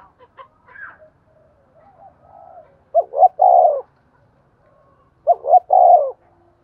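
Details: A spotted dove kept as a decoy calls in the morning to entice wild birds. Faint chirps and soft murmurs open, then two loud three-note cooing phrases follow about two seconds apart.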